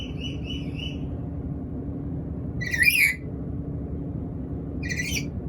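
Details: Black-capped lory when hungry: three soft, quick squeaky notes, then after a pause a loud, grating screech, and a second harsh screech near the end, all over a constant low drone.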